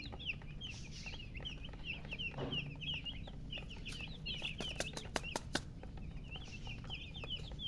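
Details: A group of just-born chicks chirps loudly, with rapid high peeps running almost without pause and a few sharp clicks or knocks near the end over a low hum.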